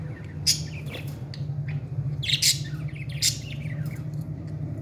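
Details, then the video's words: Parrot chick at feeding time, uttering a few sharp, scratchy squawks in clusters, over a constant low hum. "beautiful parrot 🦜 baby feeding"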